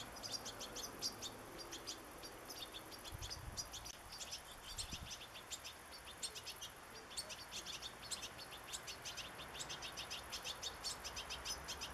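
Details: Juvenile European goldfinch begging to be fed sunflower seeds, 27 August 2014; quick series of high, sharp chirps in runs, briefly pausing midway, with a couple of low thumps and soft outdoor background noise.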